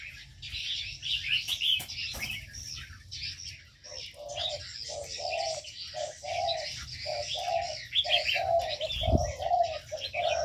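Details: Ornamental birds in an aviary: low, hoarse cooing phrases repeated about once a second, under a constant busy layer of high twittering and chirps from many small birds.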